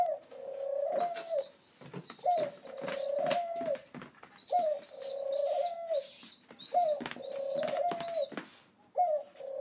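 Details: Pigeon chicks waiting for breakfast on their seventh day after rescue: piercing high squeaks stacked over drawn-out level tones with an upward flick at onset, repeated roughly every two seconds.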